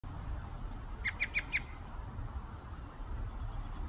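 An American robin gives four quick, sharp notes in a tight burst. A steady low rumble of wind or distant traffic runs underneath.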